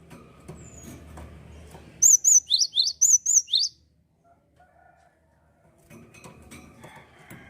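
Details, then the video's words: Java sparrow song, played to motivate young birds and silent singers: one tight phrase of about eight high notes, paired arches and rising slurs, amid low background rumble and clatter. "gelatik gacor cocok penyemangat burung bahan & macet bunyi"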